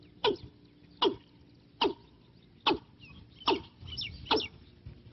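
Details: Watercock calling as a decoy for trapping wild birds: short, harsh, clucking notes with a hollow ring, repeated about every 0.8 seconds in a steady series of seven, with faint softer notes between the later ones.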